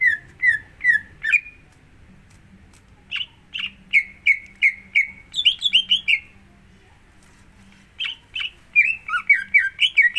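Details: Greater green leafbird song serving as a prompt for another bird: three whistled notes, a pause, then a rising and falling run of chirps and slurred whistles in irregular bursts.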